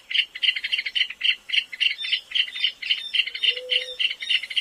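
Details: A shy rail of dry thickets, scrub and savanna gives its trilled song of dry, clicking, tinkling notes, about three to four a second with a slightly stuttering rhythm, over a faint low hum.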